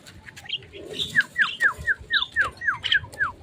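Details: Javan myna kept by its owner, sunning after a bath and fed crickets to make it tamer: a run of about eight clear, whistled notes, each sliding downward, repeated roughly four times a second, with soft rustling behind.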